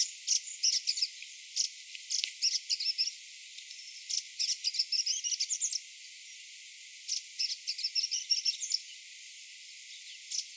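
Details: A grey-breasted prinia singing in the morning: high, rapid trilled phrases of thin chips, each burst about a second long, repeated after short pauses.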